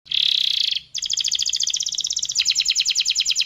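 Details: Canary singing loudly in a long, vigorous song: a dense buzzy burst, a brief gap, then rapid high trills of repeated chips that speed up and shift pitch partway through.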